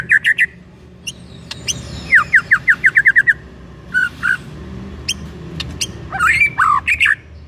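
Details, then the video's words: Shama trigger song, white-rumped shama, for stirring another bird to sing: quick paired chirps, a fast run of down-slurred notes, scattered ticks, then loud twisting whistles. "EFEKTIF BIKIN MURAI JADI AGCOR DALAM HITUNGAN DETIK DENGAN PANCINGAN INI"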